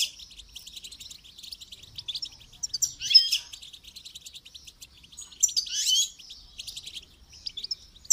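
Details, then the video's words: Goldfinch singing during song training: a long run of rapid, high twittering with several louder buzzy bursts spaced through it. "Motivational rewards for training goldfinch to song"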